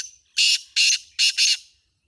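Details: Black francolin (kala tetar) of Sindhi type giving harsh, rasping bursts: a tail of a prior note, then three loud grating segments, the last a close double, clean and close.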